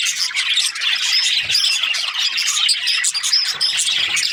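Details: Group of budgies chirping: lively, crowded chatter of short high chirps and brief whistles, overlapping without a break.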